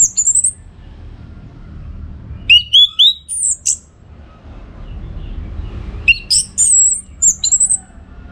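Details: Energetic song of an orange-headed thrush meant for training contest birds: rich whistled phrases mixing downslurred notes and shrill high sweeps, delivered in three bursts with pauses, faint low hum behind.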